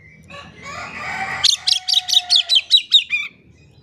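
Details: Oriental magpie-robin song meant to coax a quiet magpie-robin into singing: a blurred, noisy warble first, then about nine sharp, evenly spaced high notes in quick succession.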